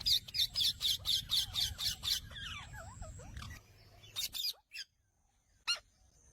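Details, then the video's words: Indian ringneck parakeet calling: a rapid run of about nine harsh, shrill notes in two seconds, followed by softer descending chirps from other birds and a few isolated sharp screeches. "Ring Neck chamando"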